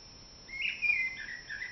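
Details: Common blackbird beginning the dawn chorus in April, a brief mellow whistled phrase with a few softer notes after it.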